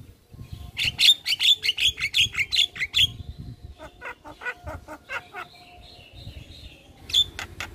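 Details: Javan myna (jalak kebo) in full 'gacor' song: about ten sharp squeaky notes repeated roughly four a second, then rapid clicking notes and a faint wavering whistle, ending in a final squeak.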